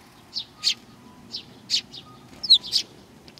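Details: Sparrows coming for food at Tenmangu, Nakanoshima, on 21 June 2020; scattered high chirps, a few soft and a few sharper with a falling slur, amid a quiet background.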